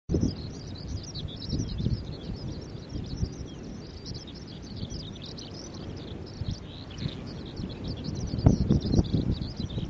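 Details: Eurasian skylark singing at Kasai Rinkai Park on 10 July 2011, with skylarks calling in many places; a fainter, unbroken stream of rapid high twittering and trilled notes over a steady low rumble of wind and distant traffic.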